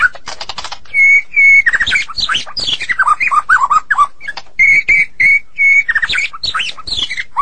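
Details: Long 'gacor' song of a Medan white-rumped shama, with flat sustained whistles repeated several times between bursts of rapid twittering and falling slurs.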